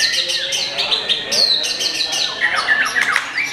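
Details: Young murai giving quick high chips and clipped whistled notes in rapid succession, shifting to lower slurred warbling phrases toward the end, delivered in a steady busy stream.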